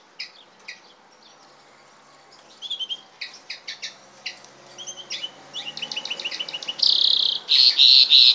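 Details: European goldfinch crossed with canary: sparse twittering notes that build into quicker chirp series and end in loud, rich rolling trills.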